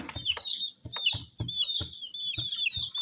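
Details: Dyed baby chicks cheeping continuously, high sharp peeps overlapping one another, with repeated low knocking sounds about every half second.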